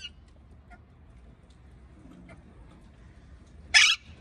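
A parakeet gives one loud, harsh, broadband squawk near the end, after faint scattered high ticks over quiet low background noise.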